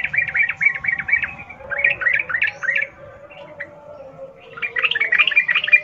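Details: Rapid 'ngalas ropel' song in the wild style from a sooty-headed bulbul, used to get captive birds singing: chattering runs of chirps, a lower steady tone beneath, a lull, then a dense final burst.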